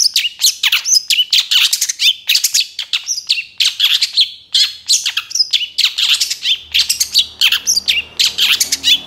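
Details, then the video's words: Young long-tailed shrike during moult, energetic full song recorded as a master for luring birds; a continuous dense stream of scratchy chirps, squeaks and whistles pours out with barely a break. "MASTERAN CENDET MABUNG MUDA GACOR FULL ISIAN 100% AMPUH BUAT PANCINGAN"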